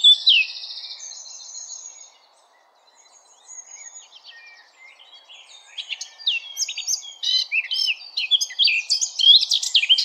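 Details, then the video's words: Blackcap song opening with a brief buzzy trill, then a near-silent pause, then a dense outburst of fast varied warbling notes that grows louder toward the end. "Blackcap Song"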